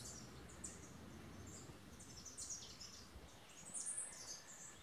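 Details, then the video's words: Male Tennessee Warbler singing, unseen low in brush among mixed migrant flocks, on a farm in Boquete, Panama, 11 March 2018: faint, very high, thin chattering bursts every second or so over a steady outdoor hiss. "Tennessee Warbler song"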